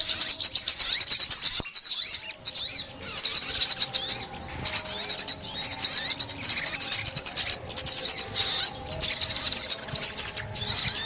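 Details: Sunbird, 2021, trap-lure recording: long stretches of sharp, high twittering with wavering whistled loops, delivered in bursts separated by short pauses, plus one sharp click.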